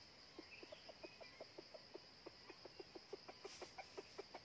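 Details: Red junglefowl decoy rooster used to trap wild birds, tried out of season: a steady run of short, low clucking pulses, about four each second, over a constant high insect hum.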